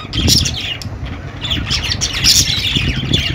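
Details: Budgerigar calls in two loud clusters of raspy squawks and quick chirps, separated by a quieter stretch, over a low rumbling background.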